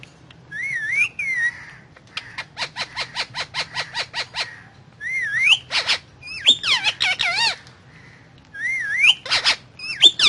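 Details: An Indian ringneck parakeet, talking while eating guava, chatters in bright, wavering whistled phrases broken by fast rattling bursts and sharp squawks, in short runs every few seconds.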